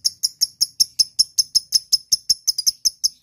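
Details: Lovebird ngekek call to a rival, used as a lure: sharp, high, metallic chirps repeated evenly about three times a second.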